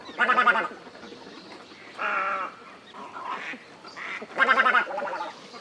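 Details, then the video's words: White egret, recorded as a bird-trapping lure, giving harsh honking squawks in separate bursts roughly every second, some louder and rougher than others, with quieter croaks between and low background hiss. "TIẾNG CÒ TRẮNG"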